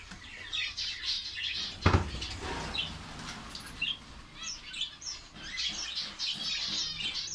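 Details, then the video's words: Colony of finches kept in Saudi Arabia, many small birds twittering at once: thin high chirps and trills overlapping, with a sharp knock or thump near the second second and a low background rumble. "fince birds colony ফিঞ্চ পাখির কলোনি সৌদি আরব"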